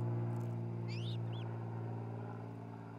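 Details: Ospreys, a nesting couple in Charlo, Montana, on a nest camera in late June 2018: a pair of high, arched whistled notes around the middle, one slurring upward, above a steady droning hum.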